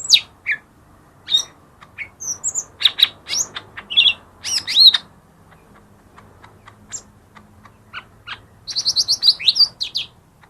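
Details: Lesser green leafbird (cucak ijo mini) song meant to provoke lazy caged birds to sing: a varied run of sharp high chips, whistled slurs and squeaky notes in irregular bursts, a quieter pause mid-way, then a rapid chattering series at the end.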